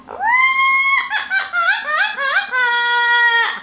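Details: Captive pet yellow-naped amazon parrot indoors calling for the household cat: a loud, clear whistled phrase, a held tone then wavering rising-and-falling notes, ending on a long steady whistle.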